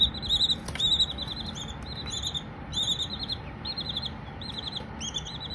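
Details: Silkie chicks calling with loud, high, wavering peeps and short trilled runs, irregularly spaced, with a couple of brief clicks and a low hum in the background.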